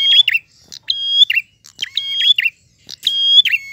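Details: Prinia singing in the gacor ngalun style, clear-voiced: a sharp click, then a long flat high whistle, then a buzzy downward flourish. The phrase repeats three times, about once a second, with quiet gaps between.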